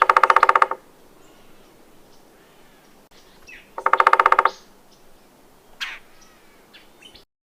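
A Red-bellied Woodpecker gives two rolling, burry churrs about three seconds apart, each a quick rattle of notes lasting under a second. A brief sharp note follows.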